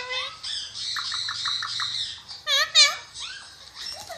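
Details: Talking Alexandrine parakeet (Pakistani ringneck parrot) gives a rapid run of clipped nasal syllables over a faint low hum, then two loud squeaky wavering notes and softer rising word-like sounds.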